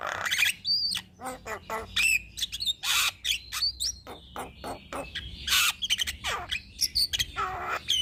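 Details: Caged Javan myna (jalak kebo) in full, energetic song used as a master recording to stimulate other birds: dense bursts of harsh squawks, rattling notes and sharp whistles in rapid succession, with loud broadband crashes and quieter gaps between phrases.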